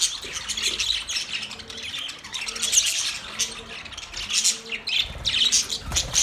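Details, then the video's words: Pet Budgerigar chirping steadily: a continuous wash of high twittering and buzzy chatter with occasional sharper squeaks, steady loudness throughout, faint low humming tones beneath. "Australian Parrot Bird Chirping sound"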